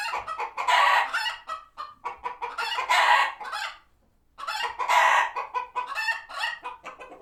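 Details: Flock of chickens at a farm sanctuary, alerted by a passing hawk and retreating to their coops: loud overlapping clucks and cackling squawks in bursts, a brief lull near the middle, then another surge of agitated calls.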